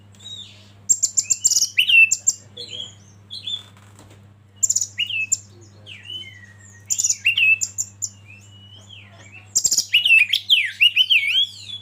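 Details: Oriental magpie-robin song used as a training recording: broken bursts of clear whistles, slurred downward notes and high buzzy chips, separated by short pauses, over a faint constant low hum.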